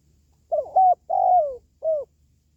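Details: Spotted dove call for motivating pet doves at home or luring wild ones: a soft, hollow three-note coo, the long middle note sliding downward, the final note short and curved, over a faint low background hum.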